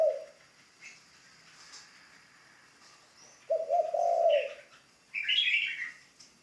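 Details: A spotted dove kept as a ground decoy and being newly trained gives one long, husky coo phrase. Higher chirps from other small birds come before and after it.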